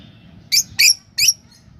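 Lovebird giving three shrill, squeaky chirps in quick succession, high-pitched and slightly rasping, over a faint low background rumble.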